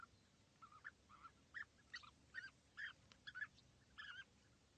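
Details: European bee-eater pair perched together at East Leake Quarry on 5 July 2017, a very sunny morning, some 80 metres distant. A steady series of rolling, slightly rising call notes, about two per second, growing louder midway.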